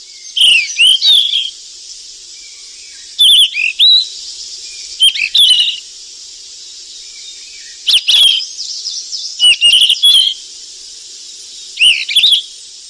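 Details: Golden flycatcher in the wild while feeding its young: repeated clusters of sharp whistled upslurs and short twittering chirps, five or six groups spread across the recording, with a constant high-pitched hiss behind.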